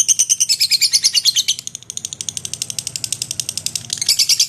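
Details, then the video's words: Lovebird in strong song serving as a tutor for magpie-robins: quick high squeaky chirps, loud at first, softening in the middle, then loud again near the end, repeated rapidly throughout. "Burung Love bird gacor untuk isian murai batu"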